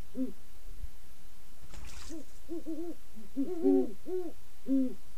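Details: Great horned owl pair calling: deep, soft hoots in short clusters, some overlapping as the two birds alternate, with a brief breathy rasping burst near the middle.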